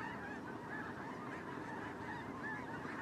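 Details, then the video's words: Short sample of a migrating snow goose flock: unbroken chorus of nasal honks from many birds calling together. "Snow Goose Migration"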